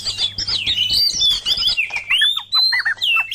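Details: Oriental magpie-robin with murai batu in a tutor and lure track: fast high warbling, then a long clear rising whistle followed by short clipped falling notes, over a low hum.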